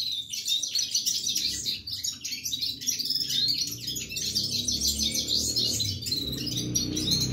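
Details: Red-fronted serin singing without pause: a dense, fast stream of high twittering and chirping notes, run together with barely a break across the whole stretch, over a faint low background hum.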